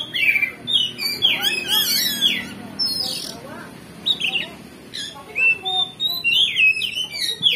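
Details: Oriental magpie-robin singing loudly and openly, showing off its varied repertoire to provoke rival birds into replying and fighting: rich rapid mix of whistles, buzzy trills and sweeping high notes in dense bursts with brief pauses.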